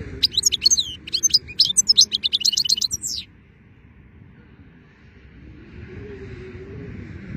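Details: Goldfinch song on a fine day, about three seconds of fast, jangling twitters and chirps, followed by quiet with only soft background rumble.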